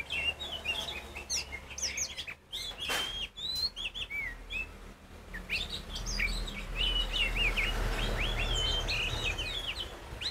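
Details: Kacer poci magpie-robin sings loudly to provoke rival magpie-robins. High whistled notes, slurred phrases and scratchy chirps run almost without pause over steady low background noise.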